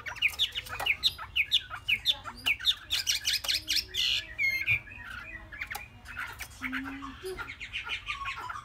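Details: Young caged Chinese hwamei, three months old and described as promising. It repeats a sharp rising note about twice per second, then breaks into a dense loud warble and a clear slurred whistle, with softer chatter at the end.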